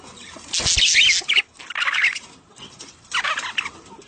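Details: Budgerigar mating sounds for stimulating a female to lay; three loud bursts of high scratchy squawking chatter separated by quieter gaps with a faint background hiss.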